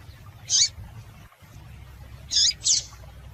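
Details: Female double-collared seedeater call intended to excite a male: a single high rasping chip, then after a gap two chips in quick succession, with a low hum underneath.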